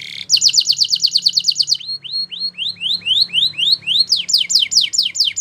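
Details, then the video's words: Belgian canary singing for training young canaries, a brisk high trill giving way to a series of rising upslurred whistles, then steep descending sweeps repeated in quick succession, with a faint low hum underneath. "Canary Singing Training !! Belgian Canary"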